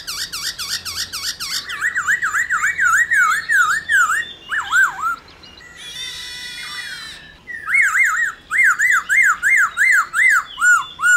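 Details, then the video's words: Caged black-throated laughingthrush song meant to stimulate other laughingthrushes; series of loud wavy whistled notes repeated rhythmically, broken by a rasping harsh stretch mid-way, then the whistles resume. "Khướu Hót RÉO Kích Khướu Bạn Căng Lửa Sung Mãn Hót Nhanh"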